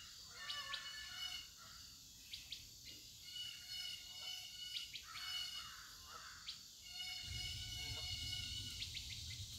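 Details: Mixed chirps and short clicks from several birds, fairly fast and uneven, above a persistent insect drone; a low rumbling noise rises in the final seconds.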